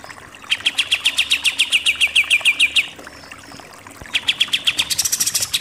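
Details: Rapid volley song of a pied triller, kapas tembak style 'nembak-nembak': a long descending trill of crisp notes, about a second of quiet, then a renewed burst climbing into high buzzing.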